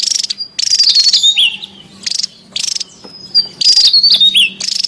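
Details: Noisy wild Javan tesia giving a few loud, grating buzz bursts separated by short gaps, with high whistled notes that slide downward between them and a low hum in the background.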